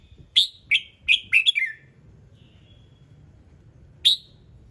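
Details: Red-whiskered bulbul in morning song, meant to set other birds off singing: a fast tumbling phrase of five descending bright notes, a soft thin whistle, then one lone sharp chip after a pause.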